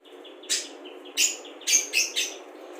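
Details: Budgerigar singing a song loaded with imitations of other birds (cucak jenggot, kapas tembak, ngekek lovebird, fighting house sparrow), used to tutor songbirds; a few sharp high chirps in separate bursts over a faint background hiss.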